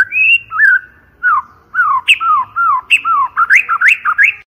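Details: Clear, loud white-rumped shama lure song with rich, varied whistles: sliding, downslurred and upswept notes delivered in a rapid, fluid sequence.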